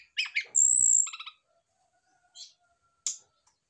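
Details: Mature male brown-chested jungle flycatcher reacting to a nearby female, opening with rough chattering notes, then a long high thin whistle, a quick buzzy trill, and scattered soft notes.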